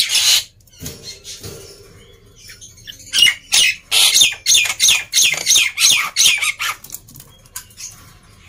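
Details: A black-winged myna sings as a lure for birds slow to sing: an opening harsh burst, a short pause, then a run of rhythmic, loud, scratchy squawks repeated about three per second.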